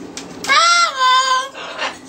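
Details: Pet Double Yellow-headed Amazon parrot talking indoors, saying hello after being prompted: a clear, drawn-out voiced word with gliding tone, followed by a softer trailing syllable.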